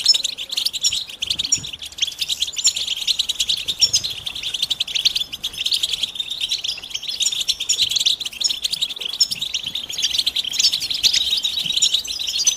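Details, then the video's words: Massed European goldfinch calls, presented as mating and readiness calls that end a male's silence and start his song. Steady, dense, high twittering runs without pause, with fine rapid pulses. "بتبتة جماعية رهيبة لتحفيز الحسون على التغريد والهيجان"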